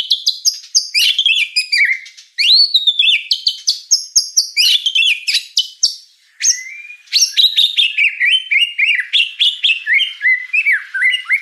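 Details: White-rumped shama song used to teach young spotted birds to sing: continuous high, tumbling phrases of rapid downslurred chirps and twittering notes with only brief pauses.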